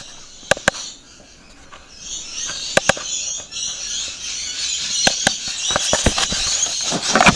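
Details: Rainbow lorikeets feeding. There are loud sharp clicks and snaps, then from the second second a dense, continuous high screechy chatter builds from many birds.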